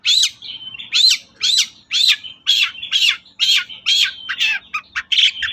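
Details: Vigorous long-tailed shrike song, played as a lure in Indonesia to stir silent shrikes into singing: about ten harsh, bright, buzzy phrases at a steady pace, linked by a thin, level, high tone.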